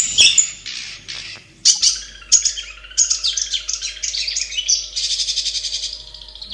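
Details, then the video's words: Long-tailed shrike in its natural habitat: harsh squawking notes and sharp calls at first, turning into a varied, busy chattering song with a steady faint low hum behind. "SUARA BURUNG CENDET DI HABITAT ASLINYA"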